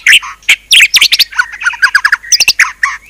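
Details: White-rumped shama in full, rich song; a dense, fast mix of sharp chips, rising whistles, harsh notes and quick rolling phrases with almost no gaps, very loud throughout.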